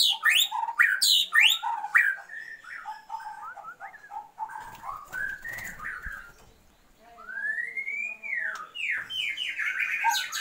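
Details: Oriental magpie-robin female calling to her mate to boost his breeding drive: sharp clicks and varied whistled notes, a short quiet gap, then a long arched whistled slur and more whistles.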